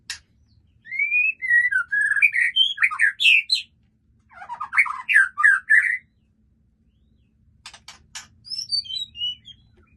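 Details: Caged white-rumped shama in full song: rapid bursts of sweeping whistled and chattering notes, two long busy phrases separated by a pause, then short clicks and a softer twittering phrase over a faint low hum.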